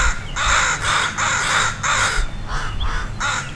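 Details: Crows in full uproar over a dog close to their two flying-practice fledglings; loud, grating caws follow in tight succession, roughly three per second, from more than one bird.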